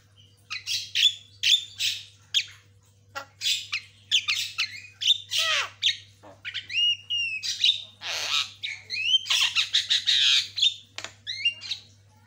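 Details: White-rumped shama kept as a cage bird in long, energetic song, a continuous stream of harsh rasping bursts, sharp chips and looping whistles with almost no pauses, faint low hum.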